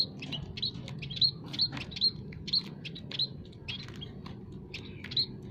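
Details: Several munia kinds in an aviary call to attract wild birds for trapping. Crisp, high chirps repeat about every third of a second, some doubled, over a faint low background drone.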